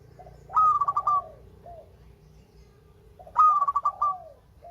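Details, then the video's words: Melodious local zebra dove delivering two loud phrases about three seconds apart. Each is a rising whistle then a tumbling run of staccato coos, with soft lower coo notes around them and a gentle hum below. "Perkutut LOKAL SUARA MERDU"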